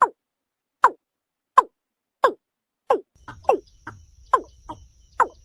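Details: Watercock calling with short, sharp downward-sweeping notes repeated about every three-quarters of a second. Softer extra notes and a low rumble join in the second half.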